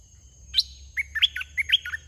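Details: Wild red-whiskered bulbul, aggressive toward a caged decoy bird during a decoy trapping session, singing a short burst of bright, bouncy whistled notes that rise and fall, with a sharp upward note first and then a quick warbling phrase.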